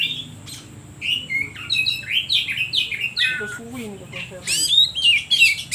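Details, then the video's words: Song of an oriental magpie-robin, meant to goad other birds: a series of short rising and falling whistles, a few lower warbled notes in the middle, then a burst of sharp high sweeps. "Suara Pancingan Kacer Paling Ampuh || Bikin Burung lain Makin emosi"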